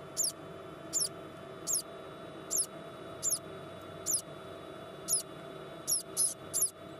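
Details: Newly hatched White-bellied caique chick, hatched at 3 a.m. on the 26th in a parrot nursery, calling vigorously: thin, very high peeps repeated roughly once a second, each a short doubled note, over a steady low hum.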